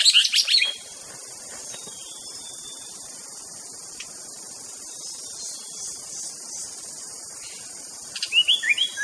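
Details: Aceh White-rumped shama giving two short bursts of rich, rapid whistled notes, one at the start and one at the end, separated by a steady high hiss.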